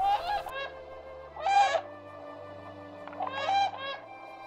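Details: Brolga in Australia giving three loud, harsh, trumpeting calls about two seconds apart, each a short rich blast from its low-pitched, breastbone-resonated mating vocalization, with a low steady hum underneath.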